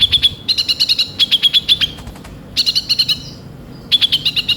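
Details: Lure recording of a konin, the kolibri ninja or Van Hasselt's sunbird, singing fast runs of thin, high, ticking notes in four quick bursts with brief gaps between them.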